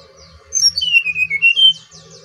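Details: Brown-chested jungle flycatcher from Bali in lively song: a quick phrase of pure whistled notes dropping from high to mid pitch, then lifting again in a short bright whistle, with a faint low hum behind.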